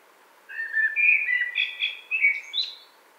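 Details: One continuous blackbird phrase of rolling, flute-like whistles stepping through varied pitches and finishing with a brief high twitter.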